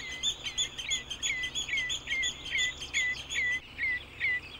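A common redshank gives a run of high, clear, downslurred piping whistles, about two each second, over a faint low hum.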